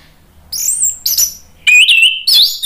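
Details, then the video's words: Used to prompt other birds to reply, an orange-headed thrush gives thin high whistles, then a rising sweet warble and a final bright, looping phrase. "SUARA ANIS MERAH bikin ikutan NYAUT NGEPLONG GACOR ¦ PANCINGAN AM ¦ TERAPI MACET"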